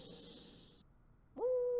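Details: A female Barred Owl calling for a mate gives a single steady, mid-pitched hoot lasting about half a second, after a stretch of faint hiss and near silence.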